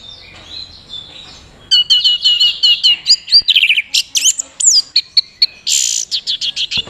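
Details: Kept Orange-headed thrush from Mojokerto, performing teler, a courtship display. Quiet opening, then a rapid chain of sharp whistled notes, sweeping slurs and buzzy trills, ending in quick repeated chips.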